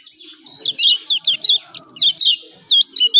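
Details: Yellow white-eye from Lombok giving energetic 'ciak ciak' calls, used as a lure to provoke quiet birds into calling: a fast run of high, sharp chirps, then a brief pause and two more bursts of squeaky notes.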